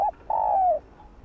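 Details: Spotted dove cooing to stimulate decoy doves: a brief clipped coo, a pause, then a long, smooth, slightly falling coo lasting about half a second, clear against a quiet background.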